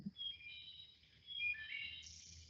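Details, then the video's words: A live territorial male Wood Thrush, lured by a decoy and playback toward a net, answers a fainter recorded rival with two loud, flute-like phrases of clear whistled notes, the second ending in a high, shimmering trill. "that's the real Wood Thrush calling back"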